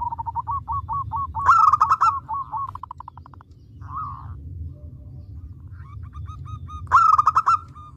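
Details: A local zebra dove, singing actively and used as a lure to prompt other doves, gives rapid, staccato cooing notes in quick runs, swelling twice into louder rolling bursts, over a steady low hum.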